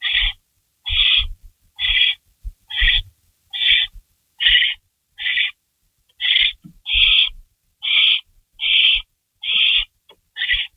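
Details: Barn owl calling at the nest around 3:53 AM, 16 May 2012, while a delivered rabbit is torn up and swallowed; thirteen regular raspy hisses at about seventy a minute, over faint knocks.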